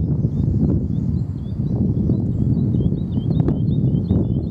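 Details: Woodlark singing at Dersingham Bog NR on 28 April 2013: a thin high series of quick repeated hooked notes running through the clip over a strong low rumble of wind and handling noise.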